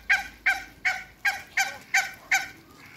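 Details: Domestic African geese, two pairs, meeting Muscovy ducks. There is a run of seven strong, harsh honks at an even, quick pace, about three each second.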